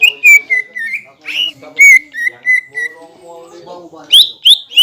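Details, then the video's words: Green leafbird singing steadily, a bait song for stirring rivals into singing. Clear down-slurred whistles in a spaced row with soft chattering below, ending with three sharp rising notes. "PANCINGAN CUCAK IJO GACOR PALING AMPUH MENAIKAN EMOSI LAWAN AGAR BUNYI DAN GACOR"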